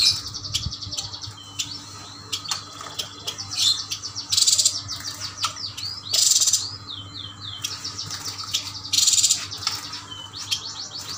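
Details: Caged Yuhina from Kalimantan, males and females bought as a group, singing steadily: dense chatter of rapid curved whistled notes with three harsh buzzy bursts spaced a few seconds apart, over a low steady hum.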